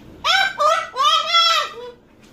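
A cockatoo gives four hoarse, arching, almost human-sounding syllables over about two seconds, rich in overtones, with a faint fifth note trailing off.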